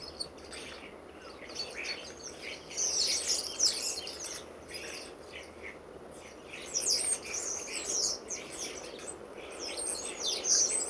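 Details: Garden flock of more than 60 common starlings in October 2012, the local birds joined by autumn arrivals; bursts of busy high chirping, clicks and thin whistles, quieter between, with louder outbursts near three seconds and seven seconds.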